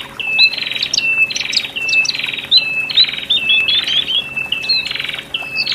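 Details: Horsfield's bush lark pair, male and female, singing to help freshly separated birds adapt to a cage; repeated pattern of a buzzy rasp then a flat whistled note, about one phrase per second, steady hum underneath.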